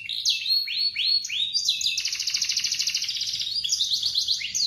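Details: Canary morning song for coaxing silent or young canaries to sing: several rising whistled slurs followed by a long fast metallic trill and scattered sharp high notes.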